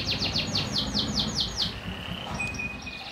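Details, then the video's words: Panda canary without bars gives a series of about nine loud, evenly spaced descending chirps, then a softer sustained whistle and thin high tones. "Kenari Panda Tanpa Ruji"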